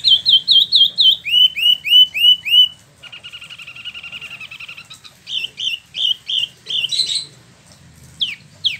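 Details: Freshly moulted caged spot-throated babbler from China and Vietnam, kept in Bandung, West Java, sings ngeroll: a steady string of ringing downslurred whistles, a sustained buzzy rolling trill, then scattered bright notes.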